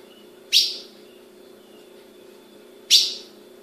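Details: Female ultramarine grosbeak in captivity in Brazil giving two crisp, piercing chip calls roughly two and a half seconds apart, each decaying quickly, against a low constant hum.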